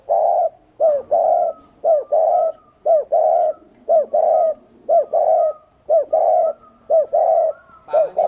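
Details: Spotted dove in the thổ rền cooing style, used as a decoy to lure wild doves: loud mellow coos repeated about once a second in steady paired phrases, each a short note followed by a longer rolling one, with no background noise.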